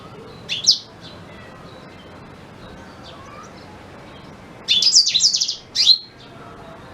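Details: Black-throated canary singing, its natural voice used as a tutor song for white-rumped shamas: one lone high chip, a long quiet pause, then a short burst of rapid, high, warbled notes with quick downward sweeps.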